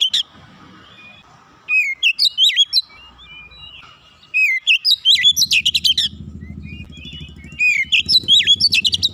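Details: Kacer, the Oriental magpie-robin, sings rapid bursts of whistled notes in the 'nembak rapat' style. Quick chattering runs with upslurred and downslurred whistles are interrupted by brief quiet gaps, with a faint low rumble in the background.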